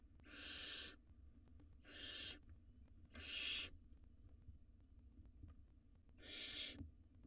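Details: Wild barn owl nestlings in a nest box, two of them swallowing rodents at the same time; four harsh hissing screeches, each under a second, spaced irregularly over seven seconds, with faint rustling between.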